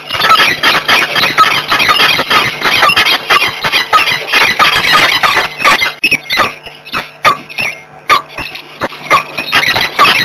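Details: A pair of peregrine falcons in Włocławek, Poland, on the morning of 26 February 2023, giving loud, harsh, rapidly repeated calls that run almost unbroken for ten seconds, with some easing of the calling near the end.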